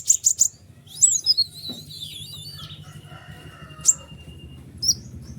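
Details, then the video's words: White-winged triller singing as training material for other cage birds: three quick sharp chips, then a wavering high warble sliding downward, followed by sparse high chirps over a low background hum. "konin sayap putih unik full nembak rapat tajam suara jelas"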